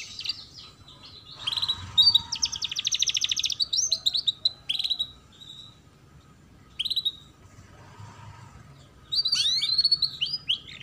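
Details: Canary tutor song for young canaries learning to sing: bursts of rapid, high, sweet trills and rolling twittered phrases, separated by short pauses, with a faint low hum underneath.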